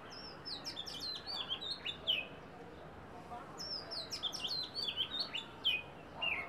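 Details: Oriental magpie-robin in Bangladesh sings two rich phrases of varied whistles, slurred rising and falling notes with sharp chirps, separated by a brief pause.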